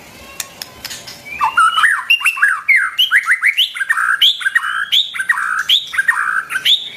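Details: Shama singing, a recording used to coach young and wild-caught birds' voices: after a few clicks, a rich, rapid stream of varied whistles, slurred swoops and squeaky notes, rising and falling without pause.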